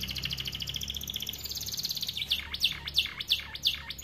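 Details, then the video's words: Young-canary training song from a starblue canary: a fast, even high trill gives way to loud, swooping descending chirps repeated about three times a second. "Kenari AF warna starblue gacor lagu unik mewah untuk masteran kenari paud"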